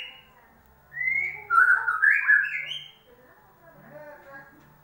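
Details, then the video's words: Oriental magpie-robin singing, played as a lure to get a bird that has stopped singing to sing again: a rising whistle followed by a rich, tumbling warbled phrase lasting about two seconds, then soft faint notes and background hum. "pancingan burung murai batu macet bunyi"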